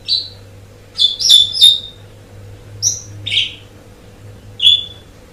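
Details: Asian pied starling on a long-duration training track for songbird keepers: six bursts of sharp whistled chirps and harsher chattering notes, some rising, in irregular groups over a low steady electrical hum.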